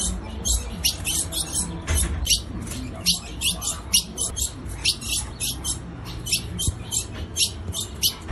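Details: Female ultramarine grosbeak calling to rouse the male: sharp, dry chips in quick, uneven runs, about two to three per second, over a steady low hum.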